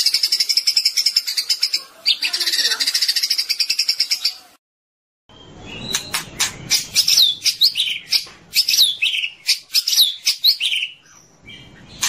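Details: Murai batu, the white-rumped shama, on a long training recording for morning use: a fast chattering trill, a silent break, then a lively string of sharp clicks and swooping whistled phrases.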